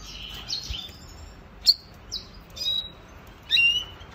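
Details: Red siskin, kept as a cage bird, heard in a training song: sparse high chirps and thin whistled notes, about four short bursts spaced roughly a second apart, with faint low background rumble.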